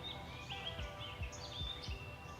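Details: Birds singing in the morning a short walk from the beach in a fishing village on Bantayan Island, Cebu, Philippines; scattered high chirps and short thin trills over steady background noise with low thumps.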